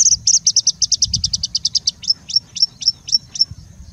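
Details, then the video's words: Singing bushlark in India, song packed with mimicry of other birds: a fast series of high buzzy notes, about five per second, slowing into spaced sharp chips, over faint low rumble. "Singing Bushlark singing and mimicking for more than three minutes straight"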